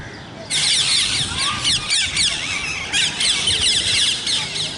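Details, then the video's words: Following a quiet half second, loud scratchy parrot calls break in and continue in rhythmic bursts of about four per second. "Natural Parrot Voices"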